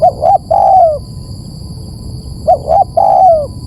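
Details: Spotted dove call used for luring birds: two phrases of quick double coos leading into a long, smooth, downward-sliding coo, with a faint steady high whine behind.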